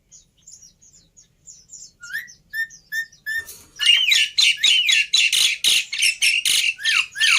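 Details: Black-winged myna in a tutor and lure recording of easily copied song phrases: soft high ticking notes and short level whistles build into loud, fast, rhythmic harsh chatter with swooping whistled notes, several per second.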